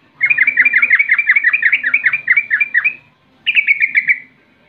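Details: Sooty-headed bulbul singing in the rolling 'rol' style, a lure song meant to provoke rival bulbuls to answer: a fast run of bubbly, slurred notes for nearly three seconds, a short pause, then a second brisk burst of descending notes.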